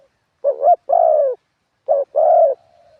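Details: Ground decoy spotted dove in 'karam pa' wild style with 'khat' and 'nun': two quick phrases of a double coo and a sustained coo, the second ending in a faint fading tail note.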